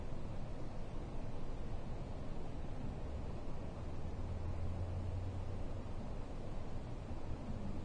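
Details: Continuous low hiss and rumble like distant traffic, with no animal calls.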